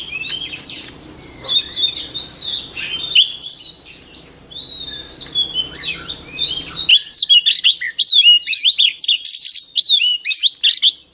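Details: White-rumped shama song offered as a voice-training model for shamas: a dense, rapid run of varied whistles, sweeps and trills, with a low steady hum under the first seven seconds that then drops away.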